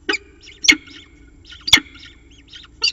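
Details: A peregrine falcon at a nest ledge on Charles Sturt University's falcon camera, Orange, NSW, during a second breakfast feeding, gives four harsh, grating squeals roughly a second apart, with thin, softer chirps and chips between them.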